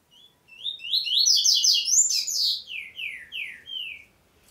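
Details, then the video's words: Double-collared seedeater song in the 'prego' style: a fast, dense run of high chirped notes that builds in loudness, followed by four clear descending whistled slurs spaced evenly. The background is quiet. "Coleiro, cantando só no prego."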